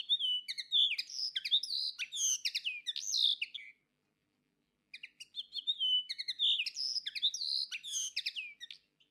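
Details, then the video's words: A common linnet (Carduelis cannabina) sings two rapid, jangling, high-pitched phrases of twitters, trills and buzzy notes, separated by a brief silence; nothing else is heard. "Коноплянка - Реполов. (Carduelis cannabina)"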